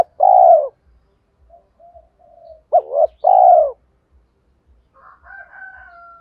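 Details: Spotted dove, used to lure wild birds, gives a long clear coo, then quiet murmurs, then a quick doubled note and another long coo, with a thin higher call at the end.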